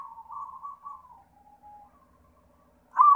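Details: White zebra dove singing as a lure meant to prompt other zebra doves to sing: one soft, wavering cooing note that slowly falls and fades, then a sudden louder burst of cooing at the very end.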